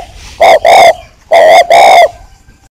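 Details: Spotted dove decoy, a breeding male held captive in northern Vietnam, calling on cue: two paired coos, each a brief note followed by a longer rich one, separated by a short pause, then quiet.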